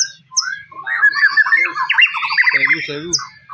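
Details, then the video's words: White-rumped shama singing to provoke other shamas: a brief burst of squawky, rolling chatter with short high whistles at the start and end. "PANCING MURAI BATU BUNYI CESS PLENGG!!!"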